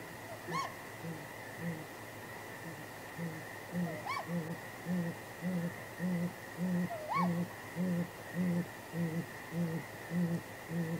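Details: Great grey owls, a nesting pair at night on 23 April 2019, calling contact hoots and responses around possible mating; a long run of deep, regularly spaced hoots, nearly two per second, punctuated by three higher swooping cries, constant hum beneath.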